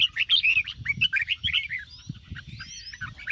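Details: Red-whiskered bulbul in morning song, used to train singing birds: fast rollicking series of bright chirping notes, loud at first then softer, with faint thin whistles behind and low thumps beneath.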